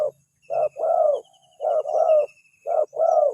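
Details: Spotted dove call used as a lure to attract a reply: paired low coos, a brief note then a longer mellow one, repeated in a steady rhythm about once a second, faint high birds twittering in the background.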